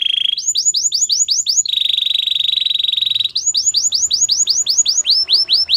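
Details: Training song from a white canary: quick upslurred whistled notes about seven per second, then a steady buzzy trill, then more rising swept notes in a lively rhythm.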